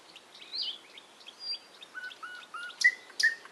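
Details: Faint, varied bird chirps and short whistles, with a run of lower soft notes, ending in two louder, sharp, high chirps.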